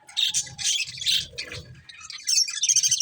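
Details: Budgerigars eating corn give loud, harsh chirp bursts roughly three times a second, then a short lull before bright, squeaky twitters, with rustling from feeding below.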